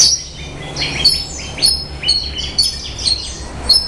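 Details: Horsfield's bush lark (Mirafra javanica), song.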